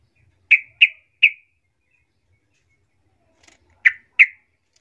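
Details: Yellow-vented bulbul lure sound to make others answer: three crisp, bright notes in quick succession, a pause, then two more similar notes, otherwise quiet.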